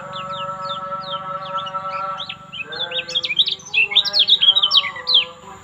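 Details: Lombok kecial kuning (lemon-bellied white-eye) song: scattered high chirps at first, then a rapid, loud burst of tumbling twittered and trilled notes, with steady tonal hum lines underneath.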